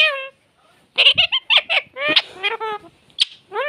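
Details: Pet talking parrot imitating a cat's meow, after a person's prompting in Hindi: several harmonic, nasal meow-like calls with rising and falling tone, mixed with harsher clipped syllables of mimicked speech.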